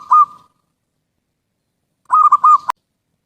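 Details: Zebra dove song for luring birds: a single brief coo, a pause of over a second, then a quick run of four rolling, pulsed coos cut off by a click.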